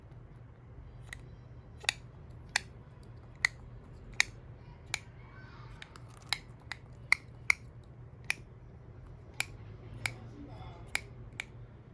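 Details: Sharp, regularly spaced clicks or snips in a quiet room, with no animal calls heard.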